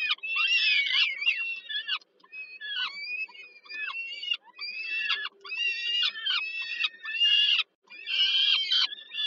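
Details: Begging peregrine falcon young at a Warsaw nest, Poland, as the mother brings dinner, 15 July 2022; grating, squealing screeches in bursts of about a second, some with falling ends, one short silence midway.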